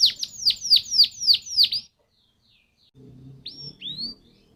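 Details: Canary song used as a lure for other canaries: seven loud, sharp downslurred chirps in quick succession, then silence and two soft rising whistles over faint low background noise.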